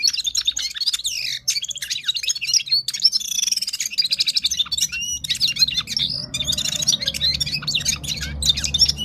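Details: A Gulsar songbird from Parachinar in the Himalayas delivers a fast, continuous, high-pitched warbling song of bright twitters and trills, with a low background rumble joining halfway through.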